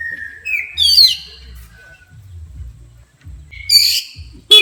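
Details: Provoked by a horn, an Oriental magpie-robin gives two loud bursts of harsh, high whistled notes and sweeps, with a long quiet gap between them, over a low steady beat.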